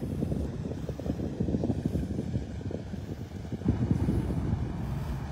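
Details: Deep rumbling engine or wind noise throughout, recorded on a beach walk at Delnor-Wiggins in North Naples, Florida.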